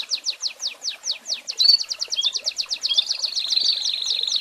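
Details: American Singer canary singing a tutor recording meant to train young birds: a string of quick downslurred notes, about five per second, speeding into a rapid rolling trill with brief whistled inserts.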